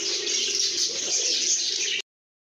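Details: Content lovebirds chirping as a group: dense, high-pitched twittering for two seconds, then a sudden cut to silence.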